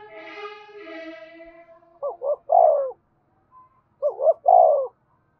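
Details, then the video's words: Spotted dove's urging coo, aimed at making caged birds call along. It opens with a fading harmonic tone. Then come two identical phrases about two seconds apart, each two short coos and a long, louder, falling croo. "Tiếng chim cu gáy thúc cực đỉnh, mở lên bổi nghe gáy theo cả ngày"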